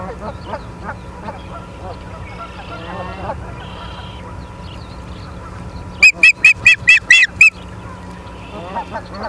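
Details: Charlo, Montana osprey on a live cam, evening of 9 September 2023: a brief burst of six or seven sharp, high whistled chirps in quick succession, set among softer honking calls of other birds before and after.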